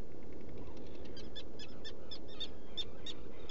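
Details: Black guillemot at a nesting burrow on Seal Island NWR, Maine, recorded around 05:25–06:25 on 14 June 2018, giving thin, high, pulsed whistles, several per second, over a steady low rumble.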